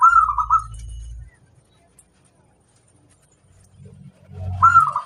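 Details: Zebra dove of a local strain giving a master song for trainee birds: one quick rolling coo phrase, a silent stretch, then low rumbling noise and another coo phrase starting at the end.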